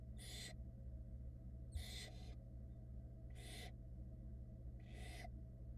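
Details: Four rasping, noisy hisses from barn owl nestlings in Florida, 2022, protesting while their soaked mother dries herself at the nest. The bursts come at uneven intervals over a constant electrical hum.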